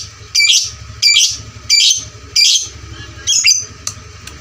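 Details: Lovebird of fighter type with a loud voice, played to train fighter lovebirds: harsh squeaky chirp bursts roughly every 0.7 seconds, then two thinner sharp notes, over a constant low hum.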